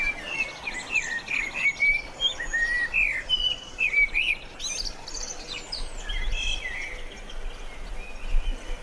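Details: Sparrow song: bright chirps and short whistled notes delivered in quick, irregular bursts, some phrases rising and some rattling, over a steady hiss of outdoor background noise.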